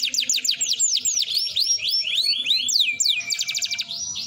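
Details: An F1 canary (Serinus canaria) song used as a lure to make other canaries sing: a fast, continuous song of high swooping whistles, sharp rising and falling notes, and rapid trills, with a faint low hum.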